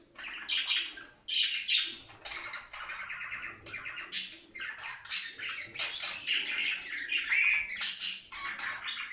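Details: Budgerigars in song during breeding, a recording used to stimulate pet budgerigars to mate; dense continuous warble of buzzy chirps, squeaks and thin whistles, rising and falling in loudness throughout.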